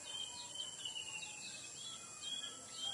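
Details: Lemon-bellied white-eye singing, played as a lure to prompt other birds to sing; quick high chirping whistles in loose runs over a constant high-pitched insect drone.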